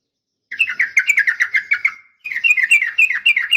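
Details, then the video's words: Female sooty-headed bulbul calling males in the morning; two rapid bursts of lively chattering notes, rising and falling, each lasting over a second. "suara panggilan pagi bikin emosi , semua burung trucuk terpancing ikut bunyi gacor dan ropel panjang"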